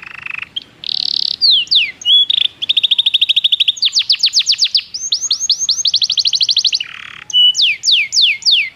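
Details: Belgian canary singing, used for canary training: fast rolling trills of rapid repeated notes, some low and steady, some steep downward sweeps, with short buzzy bursts and brief pauses between phrases, clear and loud with no other sounds.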